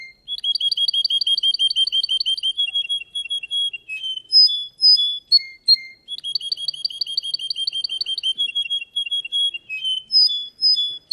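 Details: Russian canary singing in a contest: fast trilled rolls of high notes repeated in runs, broken by clear whistled tones and short chirps, the phrase pattern repeating after about six seconds, no other sounds.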